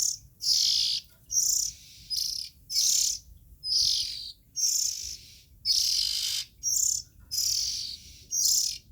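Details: Nestling Oriental magpie-robins produce a steady series of scratchy, sibilant high rasps, roughly one per second, uneven in length, with a faint low hum behind.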